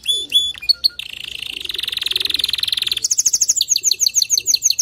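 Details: Male canary singing so a female canary builds her nest quickly: a few clear whistles, then a long buzzy trill, switching to a sharper, higher repeated chirping trill.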